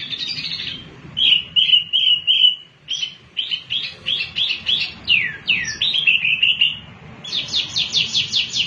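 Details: Mini wambi singing loudly, used as a lure to prompt other birds into song: bursts of high chirps and sweet trills, some downslurred notes, then a quick run of repeated notes near the end.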